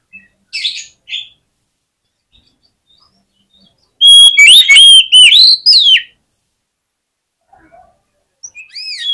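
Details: Provocative fighting song of an Oriental magpie-robin (kacer), meant to rouse rival magpie-robins; scattered soft chirps, then a loud two-second burst of fast, varied whistles and sharp notes, then quiet, and a few rising whistled notes at the end.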